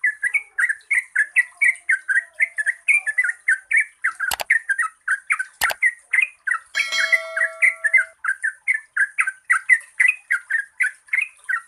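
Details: Long, fast, bubbling song of a yellow-vented bulbul, meant to prompt reluctant birds into singing: quick gurgling notes run together, a couple of sharp clicks and a brief squeak midway, with constant high background hiss.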